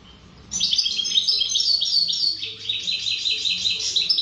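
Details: Wild European goldfinch, called mqnin khalwi, delivering a continuous run of bright, high-pitched twittering notes and liquid trills that shift slightly in pitch partway through.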